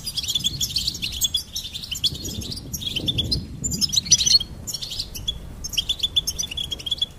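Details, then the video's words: Lively goldfinch twittering: dense runs of high, liquid chirps in phrases about a second long, broken by short gaps, over a soft low murmur. "Charming Goldfinch Peep"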